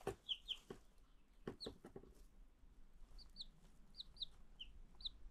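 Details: Several new chicks peeping: short high bright chirps in small bursts, some falling in pitch, with a few knocks and handling noises early on and quiet background.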